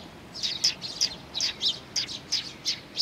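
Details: Close Eurasian tree sparrows calling on 4 June 2020 at Mizukami Bridge as they come to be fed; paired high chirps repeat roughly once a second in a steady, chattering rhythm with a quiet background.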